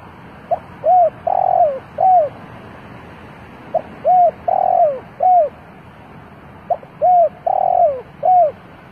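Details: Decoy spotted dove calling to attract wild doves: a soft, hollow cooing phrase of four or five notes with a drawn-out middle note, repeated about every three seconds over faint hiss.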